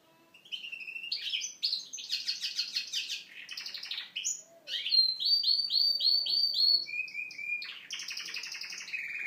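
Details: Canary schooled in goldfinch-style singing, from Moknine: a varied song of buzzy rattles, clear repeated rising notes in a steady series, short whistles and trills.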